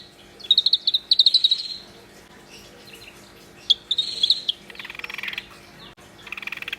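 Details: Energetic song of a black-browed reed warbler: rapid rattling trills of repeated notes, about four per second, followed by a sharp chip and a harsh buzzy, scratchy passage.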